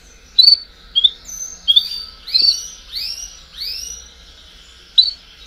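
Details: Baderna of domestic canaries for stimulating chicks' song: separated phrases of short sharp whistles and several broad, rich swooping notes, with quieter gaps between.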